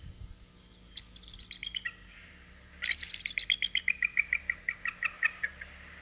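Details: Enapai, a captive five-year-old female bald eagle at a nature center, gives thin, gull-like, shorebird-like chattering piping: a short descending run of high notes, then about fifteen staccato notes falling in pitch.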